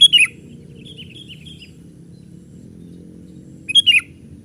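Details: Young sooty-headed bulbul lure call to draw in wild birds: two loud chirp clusters at start and end, separated by soft twittering notes, over a low background hum.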